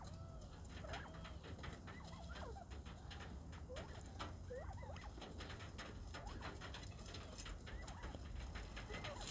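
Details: Pet quail in an aviary on 14 February, calling a lot: repeated soft curving whistled notes, rising then falling, with scattered clicks and pecking sounds and low background rumble.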